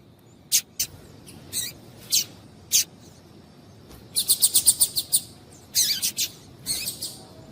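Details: Female Double-collared Seedeater calling to stimulate males to sing: sharp, high chirps, single notes spaced irregularly, then a quick burst of six rapid notes and further clustered chirps over a faint low hiss.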